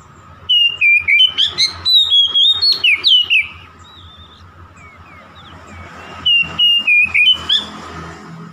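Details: Oriental magpie-robin singing to provoke a rival: fast series of loud whistled notes, many short and choppy, some slurred downward, about three seconds long; a quiet gap; then another rapid burst of similar whistles.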